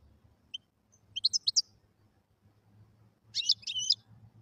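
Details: Wild European goldfinch giving two short, high twittering phrases about two seconds apart, over a faint low hum.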